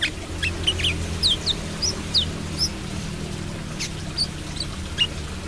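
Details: Brown-throated sunbird singing 'trotol' style: scattered thin, high chirps and short slurred notes at uneven intervals, over a faint low background rumble.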